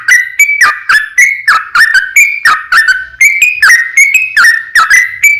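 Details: Trucukan (yellow-vented bulbul) giving a long, lively ropel song meant to lure other bulbuls into answering: bright, liquid whistled notes in short rolling bursts, delivered steadily at a fast pace with no other sounds.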